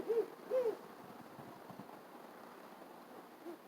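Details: Owl hooting: two short, arched, mid-pitched hoots close together at the start, then a quiet pause and one fainter hoot near the end, over a low background hiss.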